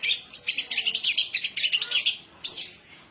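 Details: Young songbird worthy of contest sessions, rattling off a quick series of evenly spaced high buzzy notes, then a single sharp upswept whistle.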